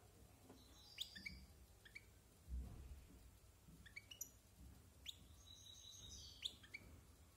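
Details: European goldfinch just over one year old, a silvestrismo bird, rehearsing song: scattered sharp chirps and two short rattling twitters, with faint low rumbling in the background.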